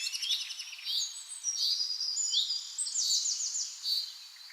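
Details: Mixed birdsong in a forest in Scotland, several birds overlapping with high chirps, a fast buzzy trill near the middle and a rapid stuttering run of notes later on.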